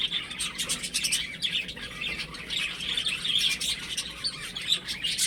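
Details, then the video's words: Young chickens chirping at home. Rapid shrill peeps overlap in a busy cluster, with softer stretches between the louder bursts. "Cute Baby Chicken Chirping Sounds"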